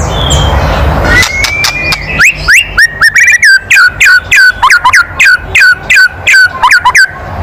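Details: Loud kretekan of a white-rumped shama, used to provoke other birds: a long, drawn whistle, then a steady series of short, sharp flicked notes, roughly three per second, for about five seconds.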